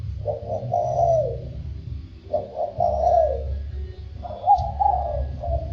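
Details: Spotted dove singing in the 'thổ sâm' voice style; three cooing phrases about every two seconds, each a stuttered run of short coos into a longer drawn-out falling coo, over a low humming background.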